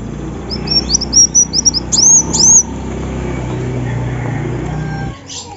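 A female olive-backed sunbird gives a quick run of thin, very high chips, then a few sharper up-slurred notes, over a low traffic rumble.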